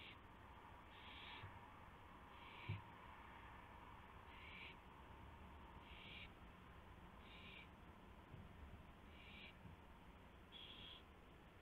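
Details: Owl calling at the nest at 1:00 AM on 24 March 2016 while prey, a gopher, is delivered; a regular series of seven harsh hissing screeches roughly every one and a half seconds, with a single knock and steady hum.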